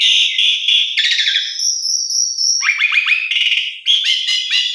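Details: Black-collared starling song, a morning lure for stressed or quiet caged birds; buzzy chattering notes, a long high thin whistle, then rapid repeated rising chips.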